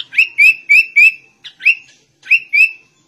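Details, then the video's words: Sooty-headed bulbul in shama-imitating song: evenly spaced rising whistled notes, about four per second, in two short groups separated by brief pauses. "Kutilang Rasa Murai Batu"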